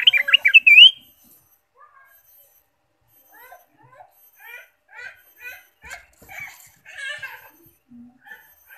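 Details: Ruby-throated bulbul singing as a lure for caged birds: an opening burst of warbled notes with a rising whistle, then faint, spaced-out chirps and soft background sounds.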